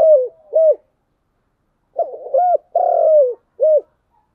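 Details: Spotted dove cooing in the 'giọng đồng' style: a falling coo and a short clipped note, a gap, then a quick stutter, a short note, a long drawn coo and a final short coo. The background is clean and silent.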